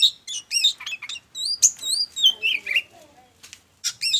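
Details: Oriental magpie-robin (kacer) singing in the excited, hot-tempered 'ngobra' style, used as a lure to set other birds singing: rapid varied whistles, sliding upswept notes and chattering trills in quick bursts with short pauses between phrases.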